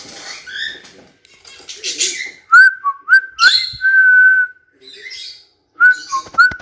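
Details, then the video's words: Pet cockatiels whistling and singing indoors: a series of clear whistled notes, some sliding up sharply, then a long steady held tone, with short gaps and a brief softer chattering passage at the start. "Cute Cockatiels Whistling & Singing"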